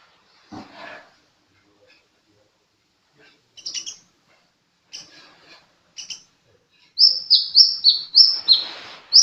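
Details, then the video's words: Sunbird singing actively: scattered soft high ticks at first, then a quick run of loud, very high, downward-sliding whistled notes, about three per second, over a slight hiss. "Burung kolibri gacor"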